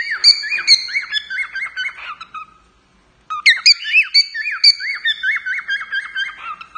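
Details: Male pet cockatiel singing to its owner: two bursts of bright, harmonic warbling whistles with rapid up-and-down notes, separated by a brief silent pause near the middle.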